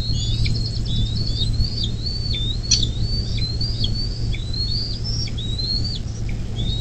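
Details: Bald eagle at a southwest Ohio river nest, USA, late May 2024 morning: quick stuttering whistles then steady high chirps that rise and snap downward, roughly two per second, with a tick and a low drone.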